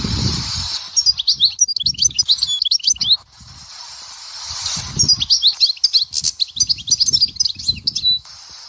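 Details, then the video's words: European goldfinch from Souk Ahras, singing in the style called sector Dehwara: two bursts of rapid, high, tinkling twitters and buzzy trills, separated by a short hissy pause, with soft low thumps beneath. "تغريد حسون سيكتور الدهوارة"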